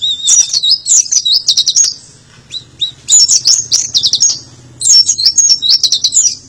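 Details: Three fast flurries of tembakan-style song from an Oriental white-eye, each a tight string of piercing, twittering notes lasting over a second, separated by short quiet gaps with a faint low drone behind.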